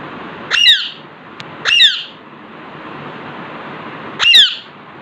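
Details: Alexandrine parakeet, a pet bird sitting in front of a mirror, gives three short, loud, harsh squawks at about 0.6, 1.8 and 4.3 seconds with quiet gaps between them; steady low hiss in the background, no clear speech heard.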